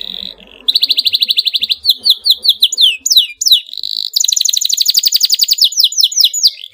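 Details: Excited canary pouring out a dense, tight rolling song meant to set other canaries singing: long rapid trills of high buzzy notes, a few sweeping downslurred whistles midway, then another fast even roll to the end.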